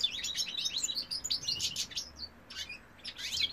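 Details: Singing European goldfinch cock, 2018: a hurried twitter of high chips and buzzy trills, breaking off briefly after two seconds before a few further bright notes.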